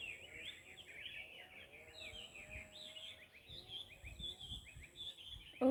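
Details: Wild birds at Hac Sa, Macau, a dense chorus of quick high chirps and twittering notes running throughout, several birds overlapping, with low background rumble and a brief loud sound at the very end.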